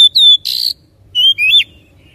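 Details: Oriental magpie-robin song used as a lure to stimulate another bird to sing: a few clear whistled notes around a steady high pitch, then a short gap and two rising-and-falling whistled phrases, in a quiet setting.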